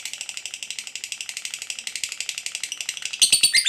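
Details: Long ngekek chatter of a lovebird, used to provoke other lovebirds to answer: rapid, even, buzzy high pulses, ending in a few louder sharp chirps.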